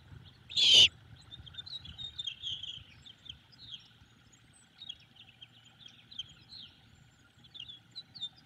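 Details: Begging great horned owlet at a nest in Savannah as its mother prepares leftover squirrel: one short, loud hoarse screech at the start, then many small birds twittering in the distance.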